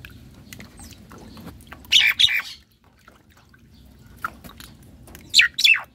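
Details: Javan myna, a semi white-eyed caged bird, singing actively while bathing in its cage: two bursts of harsh, raspy, squawking notes, one near the start and one near the end, separated by quiet with faint background noise.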